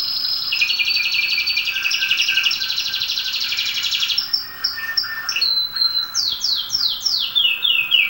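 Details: Song of a domestic canary, played to train and stimulate other canaries: a rich rolling trill lasting about four seconds, followed by separate sharp notes and a run of quick falling whistled sweeps.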